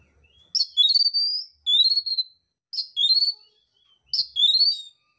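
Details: Oriental magpie-robin, a fighting-contest singer, repeats a similar phrase three times: a sharp high note then a drawn-out rising whistle, roughly every one and a half seconds.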